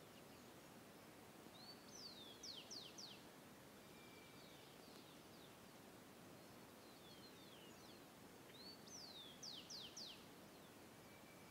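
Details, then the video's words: Birds singing at dawn in the countryside: faint, high, sharply descending whistled notes in quick clusters of three or four, heard twice about seven seconds apart, with soft scattered chirps between them over a steady background hiss. "canto de las abes"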